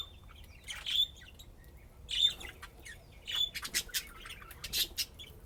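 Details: Playing budgerigars give a few loud whistled chirps, then a burst of faster, scratchy chattering squawks toward the end.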